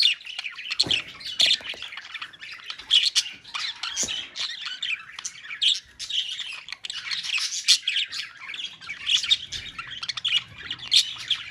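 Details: Many parakeets in a colony calling together, a dense overlapping chatter of harsh squawks and shrill chirps, high-pitched and continuous with no pauses.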